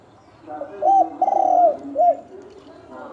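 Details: Single phrase from a fighting spotted dove ('thổ đồng', 'kích trống, kích bổi'): a short arched coo, a long raspy coo sliding downward, and a final rounded coo. Low hum fills the quiet before and after.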